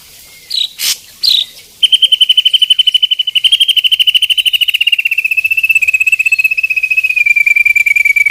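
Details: Ashy drongo in 'tembakan' song: a few short separate chirps, then a long, rapid, high-pitched trill of clipped notes that holds a level pitch and drifts slightly lower toward the end.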